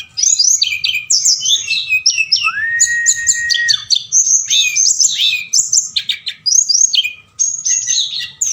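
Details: Forktail singing loudly at night as a lure meant to stir other birds into answering and singing: dense, high, rapid chattering notes with sharp sweeps, plus one long lower flat whistle near the middle.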